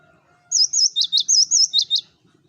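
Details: A single burst of Cinereous tit song used to attract flocking birds: eight bright, high whistled notes, swooping wavy whistles alternating with sharp dipping ones, delivered evenly within about a second and a half.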